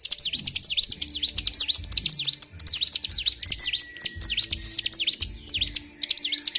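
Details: Agitated bar-winged prinia (ciblek), a kept bird singing nonstop; high, rapid sweeping notes dropping steeply in pitch, fired in quick bursts with short gaps, and a faint thin steady tone behind.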